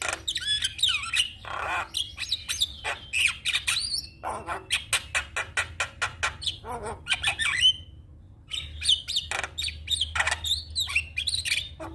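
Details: Black-winged starling song used as a tutor recording for cage birds: harsh squawks and broadband rasping bursts alternate with whistled notes near the upper range, delivered in rapid repeated pulses with a short pause just before the eighth second.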